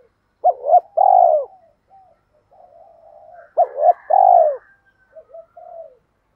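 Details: Decoy spotted dove from Hai Hau in Vietnam, calling to attract wild doves: a double hooked note then a long pulsed descending coo, heard twice about three seconds apart, with soft gurgles between.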